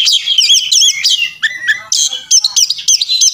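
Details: Fluffed-up Oriental magpie-robin in fighting mood gives wavering warbles, sharp clipped chips and low slurred notes, then a closing string of fast, evenly repeated high twitters, all persistent and loaded with mimicry.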